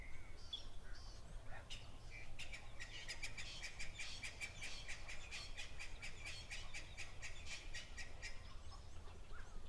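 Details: At an African waterhole on 27 December 2024, a Woodland Kingfisher gives a loud, rapid trill of sharp clicking notes lasting several seconds, with spurfowl vocalizing in the background over a steady low rumble like wind or traffic.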